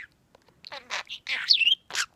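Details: A pet male budgerigar (Melopsittacus undulatus) chatters in scratchy, rapid bursts broken by a brief bright whistle, while being talked to and given kisses.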